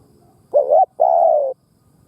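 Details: Spotted dove decoy bird cooing to lure wild doves: two low coos, a short wavering note then a longer steady slightly falling one, over faint background rumble.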